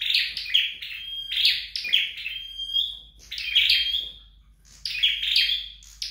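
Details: Home-trained flowerpecker giving sharp, high chirps that run into thin, drawn-out level whistles, several phrases in quick succession.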